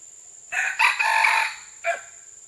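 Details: June 12, 2011 recording of a red junglefowl crowing: one hoarse, broken crow of roughly a second, rough and rising at the start, held, then cut off, followed by a short tail note against steady background hiss.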